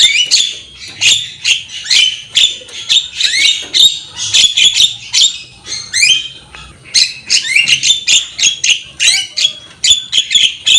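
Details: Javan myna singing vigorously: a long, nearly continuous run of harsh, grating squawks and chattering notes repeated in rapid bursts, with a brief pause partway through.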